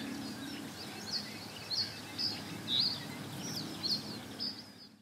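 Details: A male common reed bunting sings on 29 May 2017 at 16:45 by a seepage-water ditch in the Ochsenmoor at Hüde. Thin, high chirping notes come roughly once a second over a steady low background rumble.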